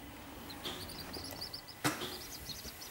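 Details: Seven-day-old captive-bred corncrake chicks being fed in County Offaly, Ireland, give faint, thin, high peeps in quick irregular runs, with a sharp knock midway and steady background hiss.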